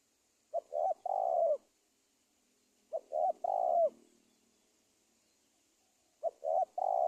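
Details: Wild-dove trapping lure of spotted dove cooing, three phrases of two quick notes and a drawn-out coo, spaced about two and a half to three seconds apart, over light hiss.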